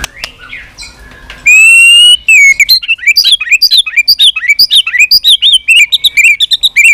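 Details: White-rumped shama giving a lure song used to stimulate weak-spirited birds to sing and flick the tail: loud, varied whistled phrases, then a long rapid series of sharp, bouncing notes repeated several times per second.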